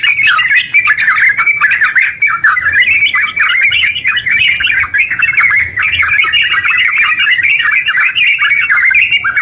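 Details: Yellow-vented bulbul in full, long rapid song, used as a lure to get other bulbuls singing; dense chattering warbled phrases tumble continuously without pause, with sharp twittering notes over a steady babble.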